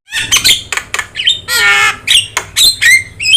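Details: Javan myna, a yellow-eyed bird in full song, kept as a master bird for teaching other songbirds; harsh squawks, sharp chirps and a buzzy rattling phrase mixed with rising whistled notes, with a faint low hum underneath.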